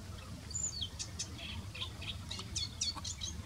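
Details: One of at least 10 singing male Moustached warblers at Al Asfar Lake, Eastern Province, Saudi Arabia, a known breeding site, in the morning: a rapid, scratchy jumble of high chirps and short rising whistles in quick bursts over a low background rumble.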